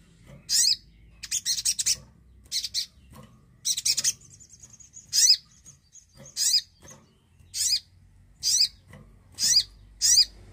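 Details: Javan cochoa singing briskly, a prompt for beginner or silent birds: dense buzzy trill bursts, a drawn-out thin whistle, then regular harsh down-slurred chirps roughly every second.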